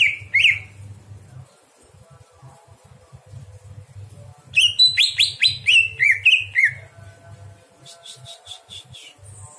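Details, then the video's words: Greater green leafbird at night, recorded to train other birds: two whistled swoops, a long quiet stretch, then a cluster of rapid slurred whistles followed by thin high ticking notes; low background hum. "masteran cucak hijau di malam hari"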